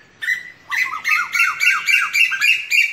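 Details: Asian koel giving a loud, shrill chattering series: a brief opening note, then clipped, slurred ringing notes repeated about three times a second without pause until the end.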